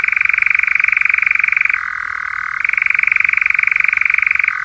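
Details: European nightjar, a paired male, churring without pause: a dense, pulsing trill alternating between a higher register and a lower, softer one for about a second before returning to the higher pitch.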